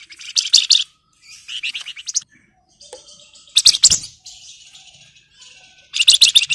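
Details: Breeding-condition Flamboyan singing emotionally at a rival as a lure: repeated bursts of high, buzzy, rapid chatter with quieter twittering phrases in between.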